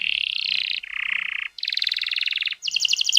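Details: Canary song, played to coax canaries into singing: a string of rolling trills, each holding a steady pitch before switching, the last one higher and sharper with clearly separated pulses.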